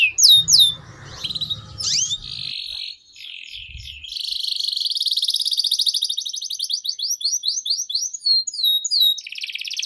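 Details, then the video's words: Canary singing long 'gacor panjang' song as a tutor for young canaries: a few sharp whistled sweeps over a faint low rumble, then a rising rapid pulsed trill, quick chips and a closing buzzy note. "Suara Burung KENARI Gacor Panjang"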